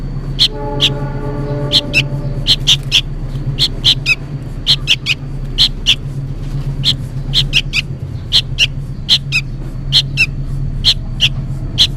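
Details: Noisy juvenile sooty-headed bulbul apparently calling its parent: a steady series of clipped, scratchy chirps roughly every half second, singles and pairs, over a constant low hum with a brief tonal whine early on.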